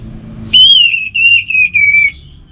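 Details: Orange-headed thrush song: a relaxed sound used to prompt other birds. One long, clear whistle holds level and then falls slightly. It breaks into several joined segments over about one and a half seconds, with a faint low hum behind.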